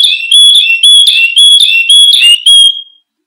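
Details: Canary song used as a lure and master tutor for training other birds: loud clear whistled notes around a steady high pitch, repeated about twice per second with brief trills between, ending in a fading whistle.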